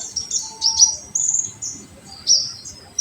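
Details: Short burst of olive-backed sunbird tembakan song, used to excite untrained sunbirds: high thin slurred notes and sweeping whistles, a short pause, then a final sharp downslurred chirp.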